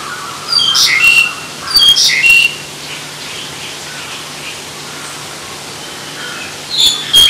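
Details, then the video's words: Black-collared starling (Sturnus nigricollis) giving loud bursts of squeaky whistles and harsh chatter in three short spells, with a faint steady hum between them. "Черношейный скворец Sturnus nigricollis"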